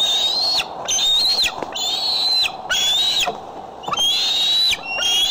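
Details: Bald eagles on the Decorah nest camera, afternoon or evening of 6 July 2011: loud, drawn-out high whistles that hold steady then drop sharply, given in bursts about a second apart, with brief gaps between.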